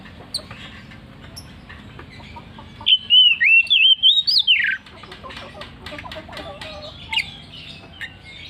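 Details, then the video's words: Oriental magpie-robin singing in the loud, persistent ngeplong style: one clear, loud whistled phrase of quick rising and falling notes lasting about two seconds, set against steady low background hum and faint scattered chirps. "KACER NGEPLONG NGOTOT"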